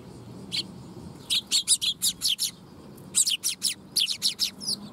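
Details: Juvenile Eurasian tree sparrow on 22 August 2021 calling in two rapid bursts of bright, high chirps, each run holding six or seven notes at an even quick pace with a short pause between runs.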